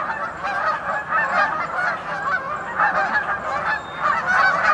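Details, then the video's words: Noisy geese in a crowded group, their harsh honks running together in a thick, pulsing wall of sound. "GEESE AND DOGS ALL MAKING NOISE"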